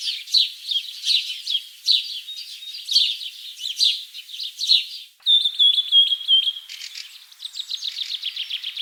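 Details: Birds singing outside: high twittering chirps in rapid bursts, then a pure ringing whistle held for over a second, followed by a quick rattling trill of evenly spaced notes.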